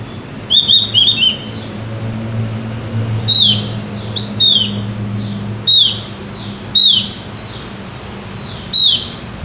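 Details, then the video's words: Javan white-eye singing briskly, a short cluster of high chirps followed by single sharp, downslurred whistled notes spaced about a second apart, against a low rumbling hum. "opior jawa gacor ngeplong"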